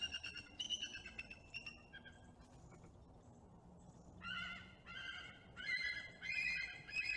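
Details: Bald eagle pair bonding in early morning at a nest high in a loblolly pine by Kincaid Lake, central Louisiana, 5 November 2021; repeated piping, harmonic chirps in short bursts, a quieter gap, then louder chittering notes resuming, over low background rumble.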